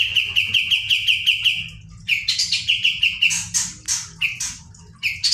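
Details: Olive-winged bulbul (kapas tembak) delivering a long rapid trill of about a dozen ringing notes, then broken shorter trills and sharp high chirps, set against a faint low hum.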